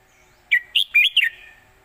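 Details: A single bright red-whiskered bulbul phrase from a southern Thai master song used to teach young birds. Four rapid, clear whistled notes with rising and falling slurs, ending in a short fading tail.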